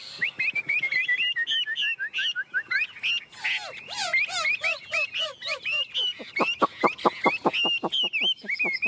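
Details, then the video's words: Tame caged Chinese hwamei singing a long, varied song: descending series of whistled notes, downward slurs, then a quickening rattle of sharp clipped notes near the end. "Chim Họa Mi thuần bóng bộ quá đẹp"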